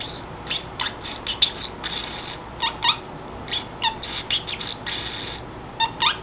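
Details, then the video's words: Pacific parrotlet kept as a free-roaming pet, chattering alone when sleepy: dense run of scratchy syllables, bright squeaks and short slurred whistles, some lower rising notes, in quick irregular bursts over low hum. "眠くなると独り言をはじめます おしゃべりが独特"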